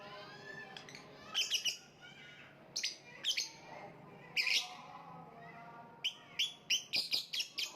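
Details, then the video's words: High, harsh lovebird chirping in clusters: short grouped squeaks, then a fast, evenly spaced series of sharp notes toward the end, over a soft background of lower twittering. "voice of lovebird / Lovebird kicau"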